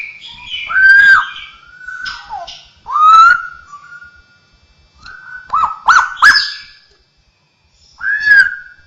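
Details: Straw-headed bulbul, cucakrowo, in mimicry song, copying other birds, cats and humans: loud slurred whistles and arched notes in bursts with pauses, some sharp clicks between phrases.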